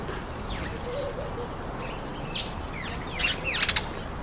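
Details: Several speckled mousebirds feeding on an apple give thin, quick, downslurred chirps that become busier and louder toward the end, with constant background hiss.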